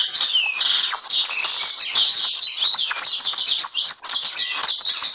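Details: Common linnet in full song: a rapid, unbroken run of bright twitters, quick chips and little rising and falling whistles, with steady loudness throughout.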